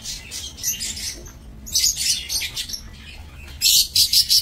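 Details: Lovebirds kept for breeding in an aviary, 22 November 2024. Clusters of shrill, high chirps come in bursts, with a short lull, then a final series of loud, sharp, rapidly repeated calls.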